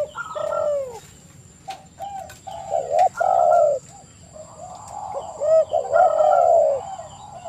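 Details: Spotted dove cooing: a dense run of low, rolling, rising-falling coos overlapping one another, against a constant high-pitched whine and scattered clicks.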